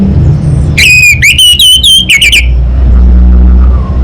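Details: An orange-headed thrush (Geokichla citrina) gives one quick burst of rich, ringing whistled notes lasting under two seconds, over a steady low rumble like a distant engine.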